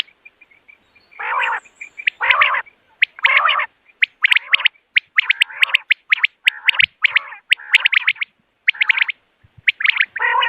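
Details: Quail heard in the morning, a call used for hunting: hoarse, buzzy nasal phrases recurring about once a second, mixed with clusters of crisp, high, clipped notes.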